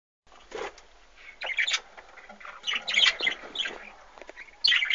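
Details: Budgerigars in an aviary with chicks, 2013: scratchy, chattering chirps and squawks in short bursts, mostly high-pitched, with quieter murmuring between louder calls.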